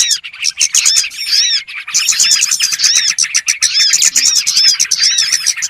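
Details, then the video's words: Lure call of small birds used for trapping: dense, overlapping high chirps, trills and rising-falling whistled notes, nearly continuous for almost six seconds with a brief lull near two seconds. "SUARA PIKAT BURUNG BURCIL"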